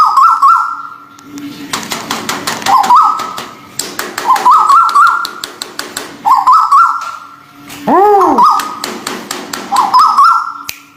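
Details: White-billed bulbul, local and Malaysian birds, in a therapy recording: short warbled whistle phrases repeat about every two seconds, broken by bursts of sharp tapping clicks and one loud arched, ringing swoop, over a low steady hum.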